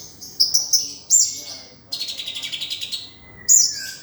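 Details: Sunbird (local kolibri, konin dacok) song used as a tutor recording for other songbirds, with rich varied phrases: high thin chirps and squeaky notes, a long sustained whistle, then a fast buzzy trilled run and more sharp squeaks.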